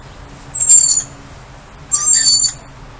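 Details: Two sharp, hissing, high screeches about a second apart from lorikeets greeting a person they know outdoors, in otherwise quiet surroundings.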